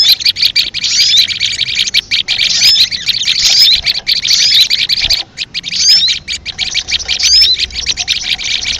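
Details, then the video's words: Leafbird lure call used for trapping: a dense, continuous high chattering of rapid twittering notes, with brief whistled upslurs scattered through it and a short pause near the middle. "suara pikat sogon paling ampuh"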